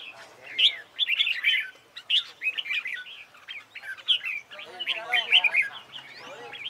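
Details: Training song of a red-whiskered bulbul for competition: dense clusters of bright warbling notes and sharp chirps, phrase after phrase with little pause, some lower rasping sounds near the end.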